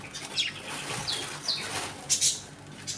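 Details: Budgerigars in a home colony during eating and play time: scattered thin descending chirps and a harsh double screech among wing flutters and rustling.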